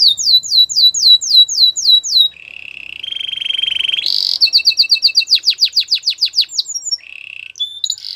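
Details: Belgian singing canary, whose song is said to seduce other canaries, delivers quick descending whistles, a lower buzzy roll, a sudden high burst and a long rapid run of sweeping notes.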